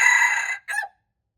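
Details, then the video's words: Red junglefowl on March 2, 2025, with the tail of a crow: a sustained rough harmonic note, a short gap, then a brief falling final syllable. "red jungle fowl, qaib qus qaib dib txuam txoov"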